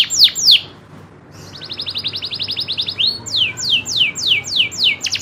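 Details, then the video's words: Local canary song: two sharp falling whistles, a brief pause, then a rapid rolling trill followed by a series of evenly spaced descending slurred notes. "kenari loper suara asli nembak ngerolll"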